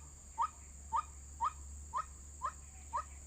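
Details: White-breasted waterhen recording used to lure birds into traps: six sharp, rising notes evenly spaced about half a second apart, with a steady low hum underneath.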